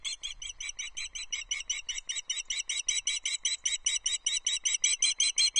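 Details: Osprey at Loch Arkaig, 14 July 2024: the female, Dorcha, on the nest calls for fish with a fast series of shrill, squealing whistles, about four per second, growing louder, before a mating attempt by the male, Louis.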